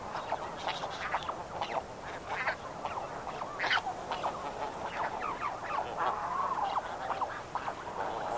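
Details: Dense chorus from a Snow Goose flock at medium distance: many overlapping nasal honks and yelps forming a continuous, busy clamour with no single bird standing out.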